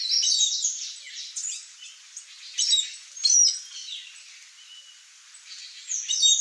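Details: Blue Dacnis pair feeding on fruits alongside bees: bursts of high, thin chirping come in short clusters separated by quieter gaps, with a few sharp single tweets in between.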